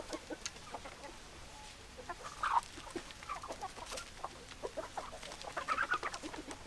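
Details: Hens clucking: a busy run of short clucks and squawks from several birds, with a few louder harsher calls standing out; no clear crow heard.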